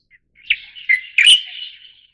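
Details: Song of a light-vented bulbul, Taiwan endemic subspecies formosae: one chattering phrase of three accented, slurred notes followed by a fading warble, bright and mid-high pitched, no other sounds.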